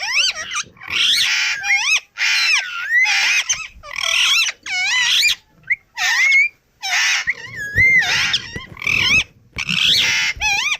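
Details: Indian ringneck parrot, a pet bird, alternating grating squawks with whistled, swooping and wavering notes in a busy, irregular series lasting about eleven seconds.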